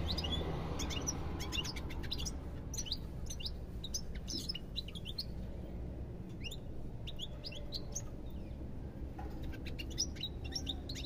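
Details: Goldfinch singing at length: continuous quick, liquid, twittering chirps and short trills, with only brief gaps, over a constant low hum.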